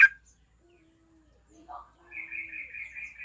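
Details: Yellow-vented bulbul sound used as a lure to get other bulbuls singing quickly: one sharp loud note opens, a short low chatter follows, then a bubbling, rapidly warbling trill runs steadily for over a second to the end.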